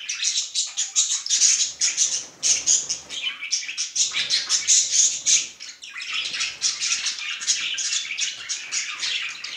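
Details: Male budgerigar in an affectionate mood, pouring out a loud, rapid, pulsing warble of shrill, buzzy chirps repeated several times per second, with a slight dip near six seconds before continuing.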